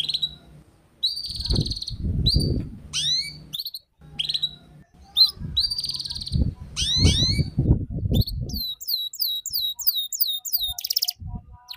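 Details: Young canary learning ngeriwik, with a lure recording: repeated buzzy chirps and rising slurs over heavy low knocking and rumble, then a clear run of sweeping slurred notes and a short buzzy trill.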